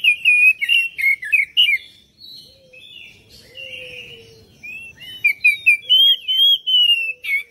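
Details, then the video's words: Song of an Oriental magpie-robin, used to lure other birds into singing back: rapid bursts of sharp whistled and chattering notes, a quieter middle stretch with a faint low whistle, then quick repeated rising whistles. "PANCINGAN KACER ANTI BISU DI JAMIN CEPAT RESPON GACOR"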